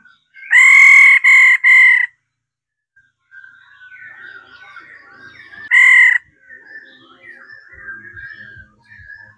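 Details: A female laughingthrush calls to excite males into singing. A burst of three harsh, nasal notes is followed by low, continuous warbling chatter. A single loud note comes about four seconds later, then more soft twittering.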